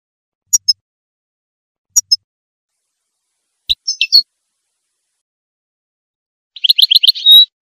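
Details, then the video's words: Female European goldfinch singing during the breeding season, a song said to spur males into singing and mating: two high, clipped double chirps, a scratchy twittered phrase, then a fast rattling trill ending in a drawn-out tone, with silence between. "la femelle chardonneret qui chante"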